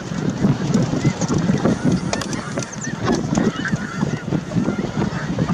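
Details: Flock of snow geese at Merced National Wildlife Refuge, 22 January 2023: many overlapping nasal honks and cackles form a constant, busy din, with a few clearer, higher yelps standing out over light wind.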